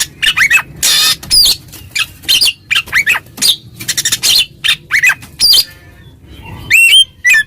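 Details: Oriental magpie-robin in full-volume song meant to call a rival and agitate it: loud, varied whistles and sharp harsh notes in rapid separate bursts, with some rising and falling slurred whistles and a brief pause near the end.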